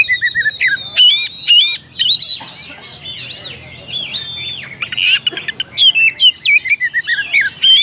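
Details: Calling to a rival, an oriental magpie-robin delivers a varied medley of loud whistles, slurred chirps and harsh chattering notes, packed closely together with few gaps.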